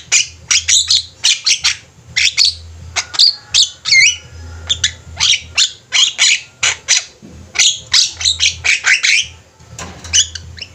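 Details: A group of Javan mynas chattering nonstop, recorded as a training master for cage birds. Ten seconds of dense, harsh, scratchy notes come in tight clusters, mixed with a few brief twisting whistles and a low hum underneath.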